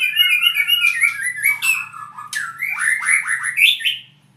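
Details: Albino white-rumped shama (murai) singing a rich run of descending whistled notes, then a quick series of sliding, rising phrases, clear and close, in a small indoor space.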